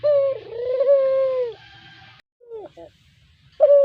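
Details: Brown puter dove, a spotted dove kept as a cage bird and prized for its melodious voice, used as a lure call: a long, steady, mellow coo held about a second and a half, then softer broken notes and a final coo; low hum underneath.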